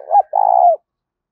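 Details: A single spotted dove lure phrase: one short throaty note, a brief gap, then a long, slightly falling, burred coo, cut cleanly with nothing else heard.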